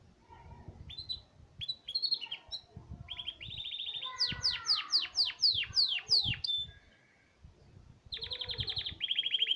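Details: Canary of the Hipi type singing: short high chirps, then a run of loud descending whistled sweeps repeated rapidly, a brief pause, and a fast high trill resuming at the end.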